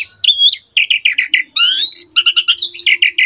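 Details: Asian pied starling master song for juveniles to copy: a whistled note followed by a run of repeated short chirps, a rising buzzy sweep and further chirping.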